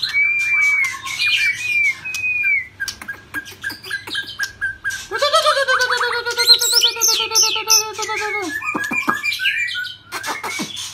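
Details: Shrimp-tailed white-rumped shama singing 'rít thuốc lào': clear whistled phrases and sharp clicks, then a drawn-out, bubbling, harmonic rasp lasting about three seconds, followed by high twittering and a final downslurred note.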